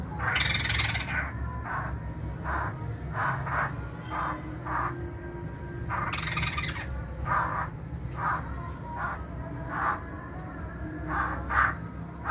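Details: Masked laughingthrush, a bird people keep, once popular in the 1990s: loud, harsh, broadband bursts repeated at uneven intervals roughly every second, some longer rasping notes, over a steady low background hum.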